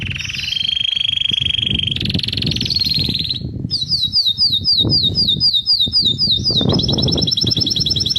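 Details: Singing canary on 11 January 2024: a steady trill, then a higher buzzing roll, followed by a rapid series of repeated upward-slurred notes and a fast, even trill, with low background rumble.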